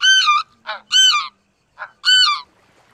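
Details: Loud, ringing, high-pitched double honks of a greater white-fronted goose, three main calls each about a third of a second, separated by softer lower notes.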